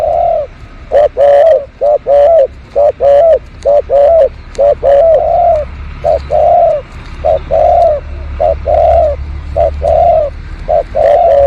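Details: Spotted dove heard loudly behind house plants for luring, delivering a long series of paired coos, a quick note then a rolling drawn-out one, over a dozen in quick succession, with some sharp clicks.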